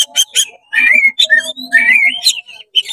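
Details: Oriental magpie-robin in rapid song meant to agitate other magpie-robins: a few sharp chips, then warbling, gliding whistles rising and falling, over a steady low hum.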